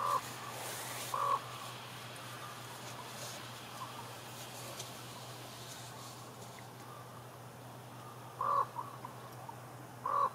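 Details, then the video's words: Common ravens in Juneau, Alaska, with scattered brief croaks: a pair near the start, a quiet gap of several seconds with faint sounds, then two more croaks toward the end, over hissy outdoor background. "Common Ravens Talking"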